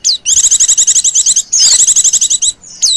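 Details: Lure call of a female Oriental white-eye in ngecir style: two long runs of fast, evenly repeated high chirps, each opened by a downward-sliding whistle, then a short closing note.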